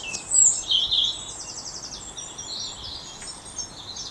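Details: European robin singing loudly in a late January dawn chorus around 8 o'clock while still dark, proclaiming breeding territory; high thin warbles and trills with rapid twittering phrases, other birds audible in the background.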